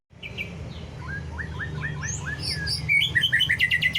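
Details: White-rumped shama lure song to stir rival shamas into singing, 'cess plengg' style: a run of short down-slurred whistles speeding into a fast rattling trill over a steady low hum.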